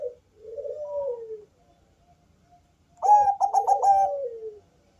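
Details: Zebra dove of the Bangkok type, thick bassy voice meant to lure other doves: a gentle descending coo, a pause, then a loud quick rolling series of notes sliding into a long falling coo.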